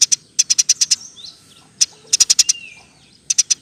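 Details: Eurasian tree sparrow, fast-chirping master song for songbird training: an opening pair of chirps, a run of six quick high notes, scattered single chips, then further short clusters, with a faint thin whistle in the background.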